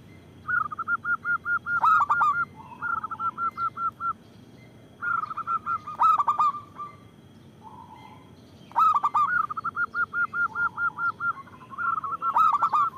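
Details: Local zebra dove singing to lure and provoke other doves, a loud series of short, clear notes near one pitch, given in quick staccato runs of about ten with pauses between, ending in sharper accented notes.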